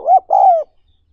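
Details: A brief, clean spotted dove phrase: a short rising coo followed by a longer smooth note that fades downward, from a lure-training recording for newly caught wild doves.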